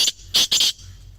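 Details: Grey francolin call played to prompt silent captive francolins to start calling: three harsh, shrill, high-pitched notes in quick succession, the last two close together, with no other sounds.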